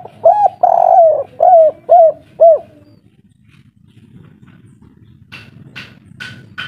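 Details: Spotted dove, local kuk 3 variety, singing noisily: five strong descending coos in the first three seconds. After a pause come four sharp high chirps from another bird, about half a second apart.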